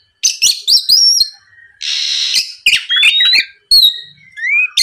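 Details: Oriental magpie-robin song used as a lure to provoke a rival into answering and singing: rising and slurred clear whistles broken by clicks and a sustained harsh, buzzy burst in the middle, then more high whistled phrases.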